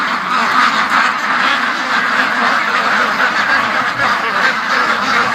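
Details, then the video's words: Penned domestic ducks clamour to be let out in the late morning after long, non-stop quacking; many birds call at once, a steady wall of harsh, nasal quacks with no pauses. "See, they all were at the other end of the pen because it's been like an hour and 40 minutes of non-stop quacking."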